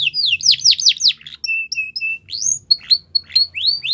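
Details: Russian canary training song: loud swooping descending notes, then a series of short flat whistled notes, followed by rising chirps repeated about every quarter second.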